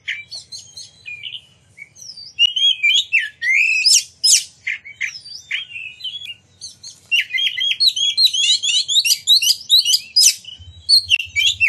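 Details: Oriental magpie-robin song used to provoke rival magpie-robins to sing and open their tails, beginning softly then building into fast, dense sequences of whistled, wavering and scratchy notes.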